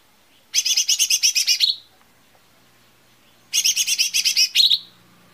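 Lesser green leafbird: two bright, buzzy phrases of about ten fast chattering notes, each ending in a sharp higher note, about three seconds apart. Otherwise quiet.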